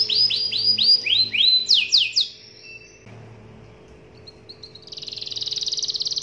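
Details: Singing canary used as a lure for other canaries: a run of loud whistled downward swoops, a short pause with quiet background, a few faint chips, then a fast, dense high trill.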